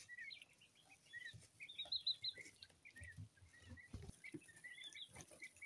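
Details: Two-week-old coturnix quail chicks, mixed colours, keep up a steady chatter of high thin peeps, a few in quick triplets, over soft tapping and shuffling.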